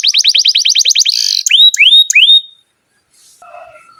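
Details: Canary singing a long tutor song meant to train young canaries and ones that have stopped singing: fast, even buzzy trill of repeated notes, then three rising swept whistles, followed by silence and faint distant chirps.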